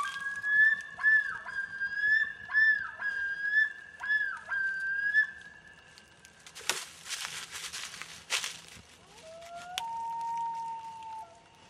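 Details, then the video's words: A loon at dusk gives a long, clear, wavering tone broken by quick regular dips, then a lower drawn-out wail after a burst of rustling noise. "LOON CALL AT DUSK"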